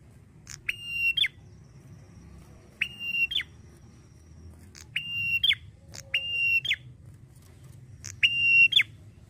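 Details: Male prinia in full song, in the drawn-out 'ngalun' style: steady whistled notes about half a second long, each ending in a sharp downward flick, repeated roughly every two seconds over a low steady hum.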